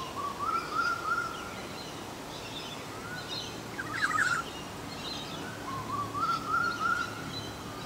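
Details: One of a pair of Olive-backed orioles giving mellow, rolling warbled phrases of a second or so, with a brief burst between them, over a steady hiss of background noise.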